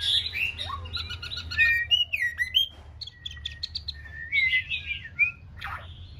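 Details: Young female white-rumped shama, six months old, practising singing; bright whistles and sharp chirps tumble in quick mixed phrases, some notes swooping down steeply, with a faint background hum.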